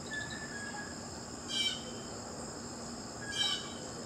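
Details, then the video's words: Blue jay: two short, rasping harsh calls almost two seconds apart, set against constant high-pitched insect buzzing. "Blue Jay Birds Sounds"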